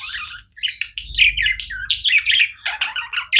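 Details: Budgies kept as pets keep up a continuous stream of chattering, scratchy chirps and squeaky warbles, dense overlapping phrases with a faint low hum underneath.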